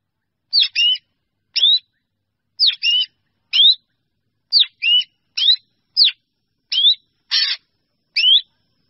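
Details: Black drongo calling its flock: a run of harsh, squeaky two-part notes, each with a sharp upslurred whistle over a raspy buzz, given in loose pairs about once a second, with one broad, noisy rasp near the end.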